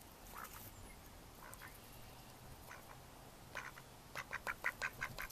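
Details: Recorded in May 2014, mallards give a few soft, scattered quacks, then a loud, rhythmic sequence of about seven sharp quacks in the final second and a half, with a quiet low hum underneath.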